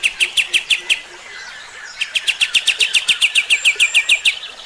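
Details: Kapas tembak song used as a training recording for other birds: rapid bright chirps repeated about four per second, one burst, a short pause, then a longer, steadier burst of sharp notes.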